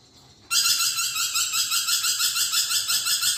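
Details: A half-second of soft sound, then a vocal lorikeet erupts into loud, rasping screeches pulsing quickly and evenly, about three per second.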